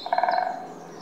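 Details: Great spotted woodpecker, subspecies Dendrocopos major pinetorum, giving a single short call: a quick burst of nasal, rattling pulses that fades after about half a second, over quiet background.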